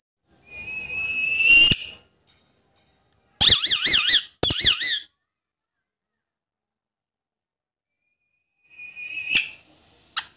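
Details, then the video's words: Talking Alexandrine parakeet giving loud, shrill, wavering vocalisations in separate bursts with silent gaps between them, ending with a short squeak in a quiet indoor setting. "Alexandrine talking parrot"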